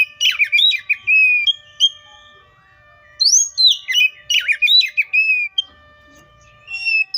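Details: Oriental magpie-robin singing in two bursts: rapid slurred, downward-sweeping whistles and chirps, a pause of about a second, then another fast varied phrase followed by a single high whistle.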